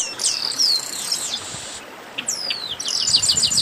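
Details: Several chestnut-capped blackbirds calling at once: loud descending whistled slurs, a drawn-out hissing buzz, then a fresh burst of sharp overlapping chirps at the end.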